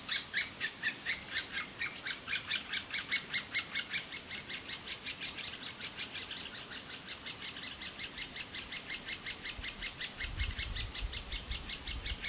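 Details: Great spotted woodpecker nestlings in a nest hole in a large old aspen beg loudly and nonstop for food as parents feed them: a continuous, high, rasping chatter of rapid chirps, several each second, with a soft low thump near the end.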